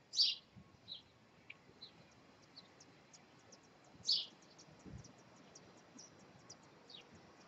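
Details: Robin nestlings, five chicks three days old, begging while their parents feed them on 2/5/2020; two loud, high, squeaky chirps stand out about four seconds apart, with fainter thin peeps scattered between them against a quiet background.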